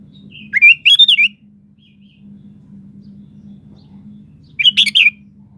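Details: Sooty-headed bulbul in full vigorous song, two loud bubbly whistled phrases, each a rapid run of rising and falling notes about four seconds apart, with a steady low hum underneath.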